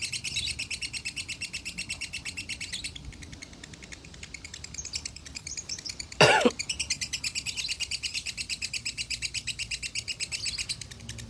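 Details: Lovebird with konslet-type song for masteran training, from a Salatiga farm: extended rapid buzzing trill of high pulsed notes, briefly softer mid-way, broken by one loud sharp clack, then resuming strongly.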